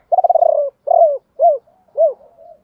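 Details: Decoy spotted dove luring wild birds with a 'ba hậu' call: a long rattling coo, a shorter rolled coo, then two clean arched notes, ending with a soft trailing murmur.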